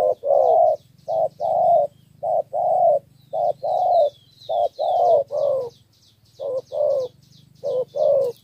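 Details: Spotted dove lure recording from Cà Mau, Vietnam, three-note 'thổ' coo: hoarse low coos in quick pairs and triplets, steady throughout, with thin high chirps of other small birds in the background.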